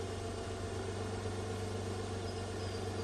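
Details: A steady low engine hum, like an idling vehicle, fills the recording with no animal calls heard.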